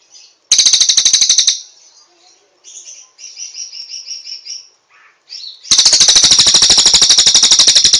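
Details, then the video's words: High-pitched cililin song for training other birds: a rapid pulsed trill, then a run of softer warbled notes, then a long, loud, even trill to the end. "Masteran Terbaik Cililin"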